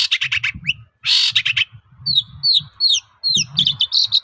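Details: Shrike song played as a lure so other shrikes answer: harsh raspy bursts and a loud scratchy squawk, followed by repeated short down-slurred whistles and chattering, with low background rumble.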